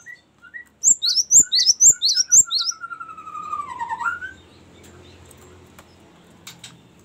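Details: Cinereous tit in long rolling song, a recording meant for luring and training: a string of high, crisp, repeated chirps, with a lower sliding whistle running beneath and trailing off, then background rumble.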